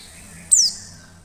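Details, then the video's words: Single sharp, thin note from a female Oriental white-eye, sweeping quickly downward from very high pitch and fading out; the call is used to entice other white-eyes to open their beaks and sing. "pleci betina SUARA JERNIH pasti cepat memancing pleci buka paruh"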